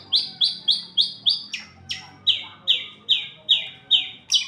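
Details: Long-tailed shrike giving a loud, harsh, down-slurred note. It repeats steadily about three times a second, with a slightly different rasping phrase midway.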